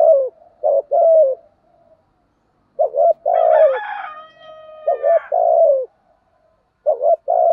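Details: Spotted dove gù thúc urging coos, played to stimulate and lure males: low short double notes and longer falling coos in repeated phrases, with a harsher, harmonic-rich drawn call overlapping briefly in the middle.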